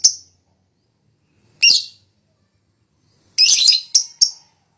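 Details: Fighter lovebird in high breeding condition, used as a lure to prompt lazy birds to sing: short, shrill, harsh chattering bursts separated by silences, with a longer rasping burst near the end followed by two quick squeaks.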